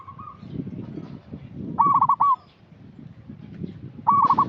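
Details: Local zebra dove, an actively calling bird used as a lure for untrained young birds: a soft opening note, then a loud, rolling, stuttered coo phrase near four seconds later, over low rumbling background noise.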